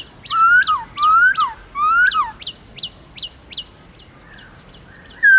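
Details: Black-throated laughingthrush singing in wild style, played to rouse captive birds into song: three loud, rich whistled phrases, each a rising slur then a falling note, followed by softer sharp repeated chips and a final clear whistle.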